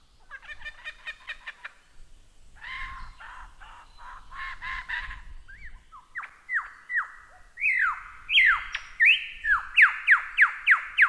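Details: Lyrebird song recorded as a training model for cage birds, starting with fast buzzy rattling bursts, then a run of loud descending laser-like whistles repeated roughly twice per second that grow stronger toward the close.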